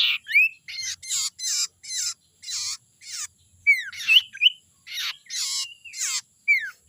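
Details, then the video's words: Young wild common iora (sirtu), a call used as a lure for wild birds: a steady run of harsh, raspy bursts about twice a second, mixed with short, sharply down-slurred whistled notes; no other sounds. "suara sirtu muda hutan ini suara ampuh pancingan"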